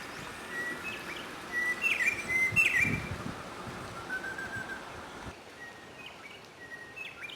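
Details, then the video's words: White-browed robin-chat giving short, clear whistled notes and slurred rising-and-falling phrases, loudest in the middle. Quieter whistles follow near the end over low background hiss. "White-browed Robin Chat"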